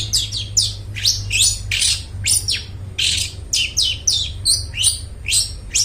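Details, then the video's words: A long-tailed shrike sings, played to train mute shrikes: a continuous rapid string of varied sharp slurred whistles and scratchy notes, roughly three to four per second, over low mechanical hum. "suara burung cendet gacor suara plong cocok buat pancingan burung cendet bisu"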